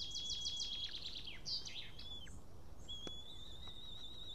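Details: Male white-tailed eagle at an Estonian nest cam, returned after ringing, 12:54 pm on 8 June 2018, having brought then lost a fish, gives a quick run of high, downward-slurring yelps, then a thin drawn-out whistle, over steady outdoor hiss.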